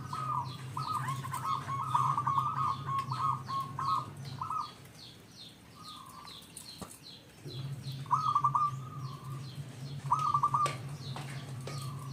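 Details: Zebra dove song meant to lure other zebra doves to call: rolling trilled coo phrases, a long run at the start, then shorter bursts after a quiet pause, with faint high chirping and a low hum behind.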